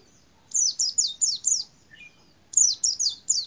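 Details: Pleci, the white-eye, calling from a cassava tree: a fast series of five high, sharply falling chirps, a brief soft twitter, then another run of three similar notes.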